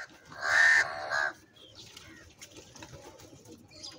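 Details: Crows fighting over food, heard live: one loud, harsh, rasping caw lasting nearly a second, then a shorter second caw. Quieter chatter and rustling follow.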